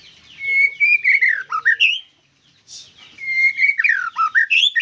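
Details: Loud white-rumped shama song of sweet whistled phrases that slide and dip, with quick chattering notes, repeated after a brief pause.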